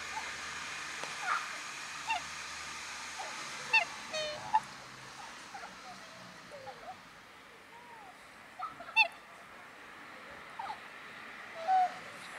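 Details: A pair of black swans at Fagaras fortress give short, soft bugling notes that rise and fall, scattered and overlapping, with a few sharp knocks and clicks between them.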